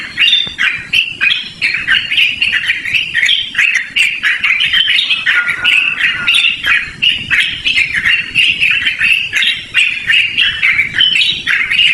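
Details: Continuous chattering song of yellow-vented bulbul, loud and melodious, for luring or bird training; overlapping bubbly, warbled notes with steady outdoor background noise.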